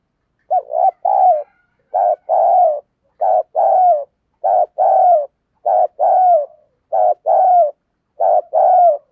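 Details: Caged decoy dove persistently coaxing wild birds with "thúc gù" coos: seven evenly spaced paired phrases, each a short clipped coo followed by a longer falling one, repeating about every 1.3 seconds.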